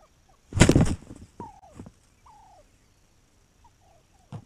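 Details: Wild turkey recorded on May 7, 2021: a loud, harsh, rapid rattling burst, then a few faint, falling whistled notes and scattered clicks in a quiet outdoor setting.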